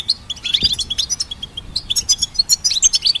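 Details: Brisk goldfinch hybrid twittering for songbird training, crisp high chirps and tinkling trills repeated several times per second, growing busier toward the end, with one soft low tap.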